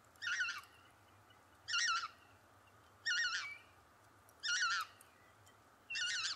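Lesser white-fronted goose giving high, squeaky, warbling yelps of a few quick syllables, repeated about every one and a half seconds over a faint steady hiss.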